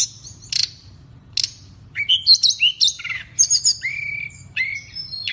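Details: Energetic pygmy cupwing song opens with two harsh, buzzy bursts, then a rapid sequence of high whistled slurs and short trills. A longer level whistle and more sharp notes close the phrase.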